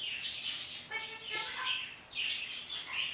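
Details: In the morning a parrot talks toward birds outside: high chirps, then a buzzy, harmonic voice-like note in the middle, followed by more chirping.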